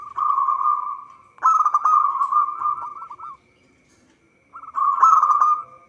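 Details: Local zebra dove (perkutut lokal) singing in a recording meant as a lure for trapping. Rapid, trilled, stuttering cooing phrases at a mid pitch come in three bursts, with a silent gap near four seconds. A faint steady hum runs throughout.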